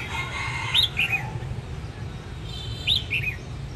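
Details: Red-whiskered bulbul at a home singing contest: two brief bright whistled phrases, each a sharp high note followed by two quick falling slurs, about two seconds apart, over low background hum.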